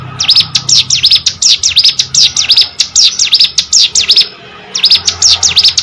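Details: High, rapid string of V-shaped chirps from a captive hill prinia in full song, roughly four seconds of steady chattering, a brief gap, then more of the same bright notes.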